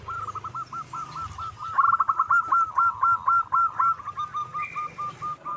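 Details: Local wild zebra dove singing steadily, its recording used as a lure for catching doves. Rapid runs of short, purring coo notes at a mid pitch, repeated about four times a second, with a louder stretch midway and faint low background rumble.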